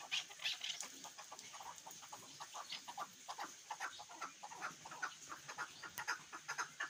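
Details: Chukar partridge, a hunting bird, produces dense, rapid, scratchy clucking that goes on without a break. Loud strokes open the series, then it settles into a fainter, steady chatter.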